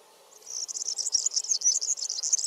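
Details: European serin feeding on Brassica oleracea seeds in a backyard, singing a fast, high jingling trill of thin buzzy and tinkling notes, continuous for about two seconds after a brief quiet start.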